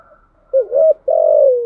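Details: Loud low coo of a spotted dove in the thúc gù style: a quick two-part wavering note followed by a long, steady hoot that slides slightly downward at the end.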